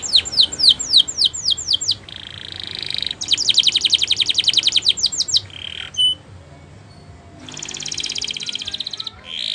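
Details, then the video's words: Canary training song, possibly Spanish Timbrado style: rapid descending chipped notes, then a long fast rattling trill, brief buzzy bursts and a final softer buzzing roll, with faint room noise beneath. "Best Canary Bird Sounds!! Suitable for your canary training"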